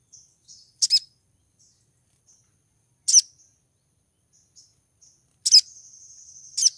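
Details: Female Brown-throated Sunbird in heat, calling for a male: sharp, high double chirps at about two-second spacing, faint thin notes between them, and a sustained high buzzy trill near the end.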